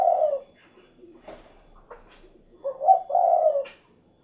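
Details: Spotted dove cooing: a low soft coo opens, then after faint clicks and rustles a longer mellow coo phrase of two or three joined notes, slightly falling at the end.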